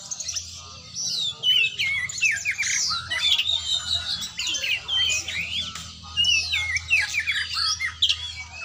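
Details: Oriental magpie-robin training session: harsh squawks mixed with quick whistled and chirping phrases, delivered in a busy, nearly unbroken stream over a low hum.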